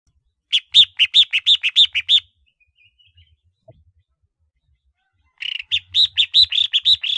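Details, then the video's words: Collar-marked red-whiskered bulbul kept as a decoy bird, giving two bursts of rapid, bright, chirpy notes, each note a short rising-falling whistle repeated about three times a second, separated by a pause of near silence. "Tiếng chim chào mào khoang cổ mồi"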